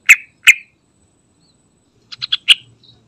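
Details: Yellow-vented bulbul (trucukan) lure call meant to make other trucukan birds sing: two loud chirpy notes, then a quick run of three bubbly notes ending in a stronger chirp, in a quiet setting.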